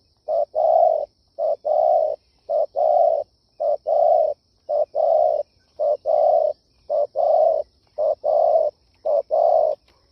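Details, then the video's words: Spotted dove cooing, used to lure wild doves: soft, hollow low coos in steady repeated phrases, a short note followed by a longer drawn-out one, about one coo per second, against a quiet background. "Tiếng chim cu gáy siêu hay chuẩn kích bổi"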